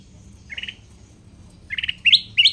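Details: Sooty-headed bulbul, a wild-caught bird now tamed and caged, singing actively almost every minute and kept as a lure for wild birds: a short buzzy chirp, a pause, then a run of bright, sharp rising notes.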